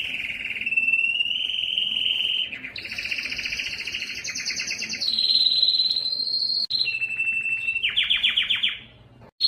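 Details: Singing yellow canary delivering continuous rolled trills, stepping up from a low warble to a high buzzy tour, then down through fast chattering notes before a short silence.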